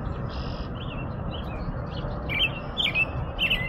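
American robin giving short, clear chirped phrases around the upper-middle pitch, several in under four seconds, over a steady low rumble of background noise.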